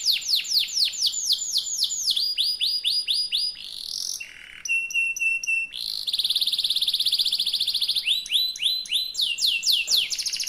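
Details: Yellow canary singing a long rolled song: fast runs of high swept notes changing pitch from phrase to phrase, a brief lower rasp near the middle, then a bright sustained rapid trill.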